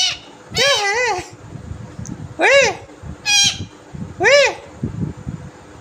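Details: Green parrot kept as a pet, described as naughty and talking: loud harmonic arched squawks and whistly calls in bursts about once a second, over a rumbling, noisy indoor background.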